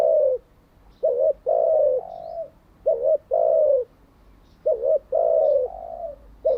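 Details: Decoy spotted dove used to train newly caught and decoy doves, giving clear, low, hollow coos in regular phrases: a short double note then a long falling coo, repeating every couple of seconds over quiet background.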